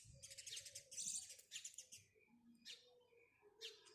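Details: Quieter, more distant sparrow chirps in a few short bursts, with a low background murmur.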